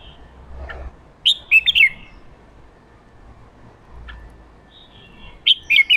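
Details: Excited male red-whiskered bulbul singing ché-style phrases to rouse captive wild-caught bulbuls: two quick clusters of bright, slurred whistles about four seconds apart, with faint low rumbling underneath.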